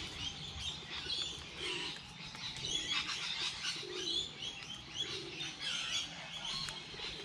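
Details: Birds calling outdoors during light rain, with sharp high chirps and short trills from several individuals, plus low hollow notes repeated every second or so beneath them, all over a constant gentle rain hiss.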